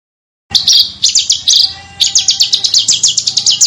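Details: Small bird song for teaching competition cage birds: a few clipped high chirps, then a rapid run of sharp repeated notes over a faint steady hum.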